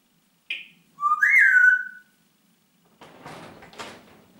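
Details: Pet Congo grey parrot indoors: a short high whistled note, then a louder bending whistle that rises and then slides down and levels off. Faint rustling and clicking noises follow.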